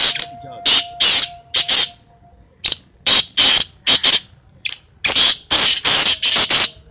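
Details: Black francolin, locally called kala teetar, giving loud harsh rasping notes in clustered bursts, two or three close together, then pauses, with a faint steady hum in the background early on.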